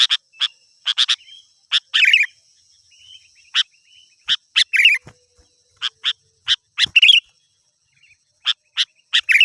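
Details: Sooty-headed bulbul singing gacor-style, a lively song played to lure wild birds and make them agitated. Crisp, clipped chirps repeat in uneven clusters, broken by several short rattling twitter bursts. Faint low knocks in the background.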